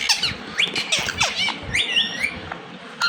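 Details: Indian ringneck parrot chattering while it talks: thin, high squeaks and short upward-sliding chirps tumble quickly over a dull low background murmur.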